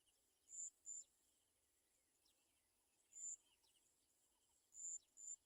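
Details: Olive-backed sunbird mother beside fallen young that cannot eat; sparse very high thin notes, mostly in pairs, separated by quiet gaps with faint chips.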